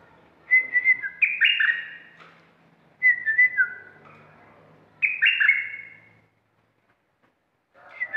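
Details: Aggressive caged red-whiskered bulbul used to lure wild birds, repeating a loud whistled phrase of quick up-and-down slurs about every two and a half seconds, three full phrases and the start of a fourth.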